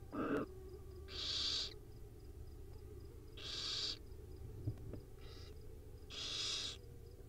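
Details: Wild owl babies at dinner time, filmed by a live nest camera, give four harsh, hissing screeches of about half a second each, roughly every two seconds, with a short sharp squeak at the start over a steady low hum.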